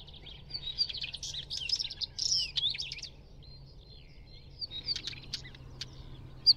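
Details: Northern wheatear song, a fast crackling, squeaky warble running for about three seconds, then after a pause a looser series of sharp ticking and chattering notes, over a soft low background hum.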